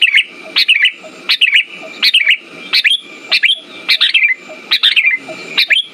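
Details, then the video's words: Lure recording of a sooty-headed bulbul, meant to get silent birds singing again: quick clusters of two or three sharp chirps ending in a downward slide, about eight phrases in six seconds, with a constant faint whine behind. "Pancingan burung kutilang macet"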